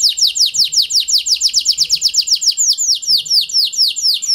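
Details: Kenari panda (a canary) singing as a lure for reluctant canaries; a string of sharp downward-sweeping notes, rapid at first then slowing to spaced chirps.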